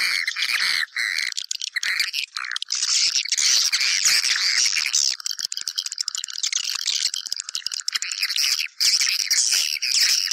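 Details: Swiftlets used to lure the birds into a house: a dense, unbroken chorus of high, buzzy twittering and rapid chirps from many birds, with brief gaps near one and nine seconds.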